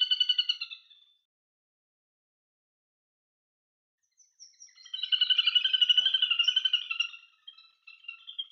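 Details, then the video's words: A Little Grebe gives a high, rapid whinnying trill: a short burst, a pause, then a longer run of fast, even pulses that rises, holds and fades. "Little Grebe Bird Call"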